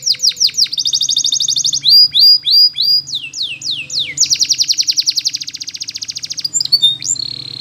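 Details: Canary training song: falling whistled sweeps, a fast buzzy trill, more sliding notes, then a long, even rattling roll and a final sustained whistle, loud and clear.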